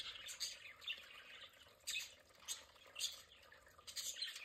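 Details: Pet budgerigars in their play area give sharp scratchy squawks and short chirps, spaced about a second apart with quiet gaps between bursts.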